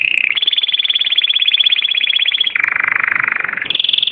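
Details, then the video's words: Belgian or native 'da terra' canary: a long, very fast rolling trill at high pitch, dropping to a lower roll midway, then jumping back up to the higher roll. "Canários Belga e da terra excelentes cantos"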